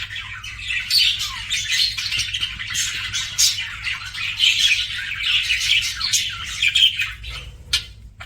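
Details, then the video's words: Budgerigar kept as a pet, chattering almost without pause in a dense, scratchy warble of overlapping squawks and chirps, ending in a few isolated sharp ticks, over a steady low hum. "BUDGIE CHIRPING SOUNDS"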